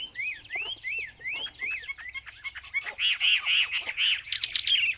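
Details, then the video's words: Chinese hwamei, called wambi locally, singing: a series of rising-and-falling whistled slurs repeated about twice a second, then denser, higher and louder warbled phrases toward the end. "burung hwamei/wambi Joss suaranya"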